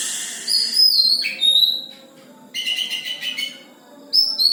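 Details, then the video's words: Caged Oriental magpie-robin singing in short bursts: high whistled notes, then a harsh buzzy chatter after a pause, and a final rising whistle. "Burung Kacer sudah mulai mantap suarae"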